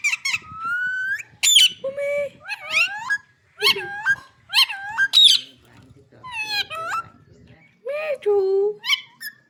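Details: A talking green parrot delivers a string of short voice-like syllables, sliding whistles and squawks in uneven bursts, separated by brief pauses, in a quiet indoor setting.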